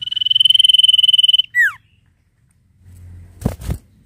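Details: Sirtu in gacor ngetir nyiul song: a rapid, even, high pulsed trill lasting about one and a half seconds ends in a swooping downward whistle, followed by low hum and two loud clicks.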